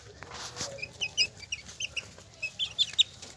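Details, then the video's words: Hen and chicks: short, high chick peeps come in quick bursts over a noisy background, with little of the hen heard. "Gallina con sus Pollitos"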